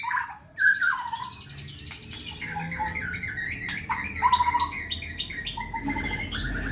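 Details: White-rumped shama in active song ahead of a contest: a loud opening whistle followed by a busy, overlapping jumble of varied notes and clicks against a steady background hiss.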